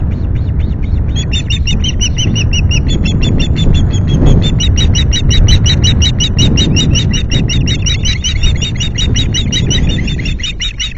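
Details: Osprey calling through a fish delivery at its Loch Garten nest one late-July afternoon: a brief drawn-out whistle, then a sustained, urgent chain of high piping chirps, slightly uneven in spacing, over a strong wind rumble.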